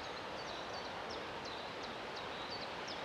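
Common moorhen chicks give thin, high peeps, short upslurred notes repeated about three times a second, over a steady background hiss.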